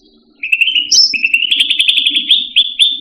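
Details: Cage-kept Indonesian grassbird (cucak rante) used to train pet birds: a continuous rapid chattering trill, briefly broken by a high whistled slur, rising slightly in pitch and speeding up, with soft low background noise.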